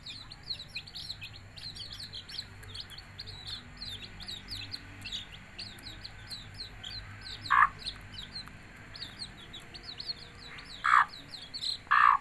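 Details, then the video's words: Hen calling her chicks to eat: a steady stream of high, thin, down-slurred chick peeps throughout, then three short, loud clucks near the end, two of them close together. "Bahasa Ayam Memanggil Anaknya Makan"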